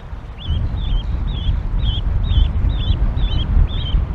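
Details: Canada geese at their nest near Decorah, Iowa, April 28, 2022, in cold rain, as the parents call the goslings to jump: eight evenly spaced, clear high peeps with a dipping, double-humped shape over low rumbling noise.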